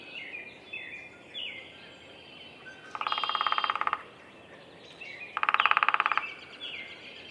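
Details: Downy woodpecker drumming at Roberts Bird Sanctuary, Minnesota: two rapid, even rolls of sharp taps, each about a second long and separated by a short pause, over soft chirps and whistles from other birds.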